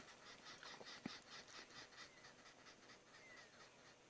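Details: Arrow-marked Babblers in the African bush at sunset, gathering in a tree near a moving predator, give harsh, raspy chattering notes about two per second, with a few thin whistles against steady background hiss.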